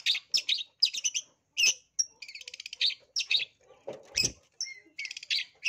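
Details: Long-tailed shrike lure song, a lively bird used to provoke rivals: rapid high bursts of chattering, buzzy trills and short whistles, broken by brief pauses, with one lower rasping note near the middle.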